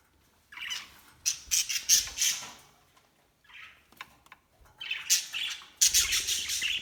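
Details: Budgerigars out for a morning break give bursts of harsh, scratchy squawks and chatter in quick, uneven runs.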